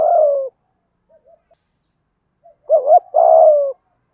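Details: Spotted dove, male and female pair, cooing used to lure wild doves; one long falling coo, a pause, then a short double note and another drawn-out descending coo.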